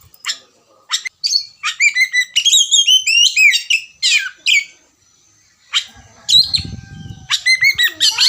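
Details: Oriental magpie-robin in ngerewek style, played as a singing lure: clipped notes leading into long fast sequences of varied whistles, downslurs and harsh notes, with a brief faint low rumble near the end.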